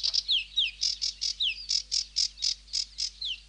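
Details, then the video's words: A sedge warbler sings a quick series of harsh chirping notes, about four per second, broken by clear downward-sliding whistles. "هازجة البردي المخططةsedge warbler"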